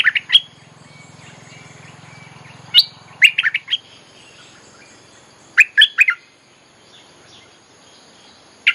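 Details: Bulbul lure song for attracting wild birds, scattered bursts of chirpy, warbled notes in groups of three to four, with a low humming noise in the first few seconds.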